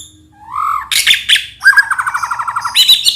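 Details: White-rumped shama song played to train young birds and get them singing: a rising whistle, then harsh buzzy bursts, and a fast even trill of repeated notes ending in a high sharp phrase.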